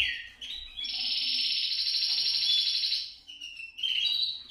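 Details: Canary song to encourage canaries to sing: a brief whistled note, then a sustained rapid high trill lasting about two seconds, followed by short whistles.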